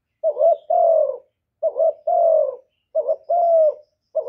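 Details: Decoy spotted dove cooing to lure and stimulate other doves, recorded directly without noise: three and a half hoarse two-part phrases, a quick double note and then a long, falling coo, repeated at even intervals.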